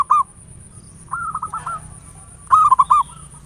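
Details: Three phrases from a local zebra dove, played as a lure (pancingan) to excite other doves into song: a brief rolled coo, a softer trilled phrase, then a loud stuttering run of four or five rapid cooing notes; faint high hum persists.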